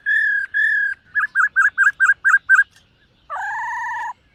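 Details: Black-throated laughingthrush singing in the morning to train its voice. Two long level whistles are followed by seven quick, evenly spaced whistled notes. It ends in a sustained, quavering double-toned phrase.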